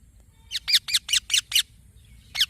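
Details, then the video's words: Green baby parrot giving a short, uneven string of six squeaky, rasping chirps, then a single chirp after a brief pause. "Green Baby Parrot Chirping Sounds"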